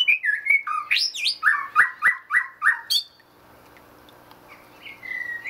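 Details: Aviary-kept white-rumped shama in the Netherlands, singing while foraging: loud, fluty whistled phrases repeated about three times a second with sharp clicks between them, then softer, quieter warbling.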